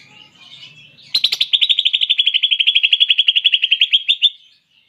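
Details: Greater green leafbird delivering a long steady trill of rapid repeated notes, about three seconds of evenly pulsed, slightly descending chatter after a faint soft prelude.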